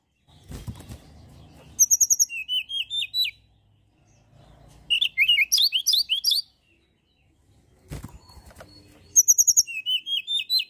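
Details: Mountain tailorbird used to stir other birds into song: three bursts of rapid high chirps and whistled notes slipping downward, each bout separated by soft rustling and fluttering sounds.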